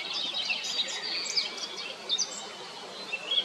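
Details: ['Eurasian blackcap singing: a dense run of varied chirps and warbled notes, steady throughout, over a constant hiss of outdoor background noise.']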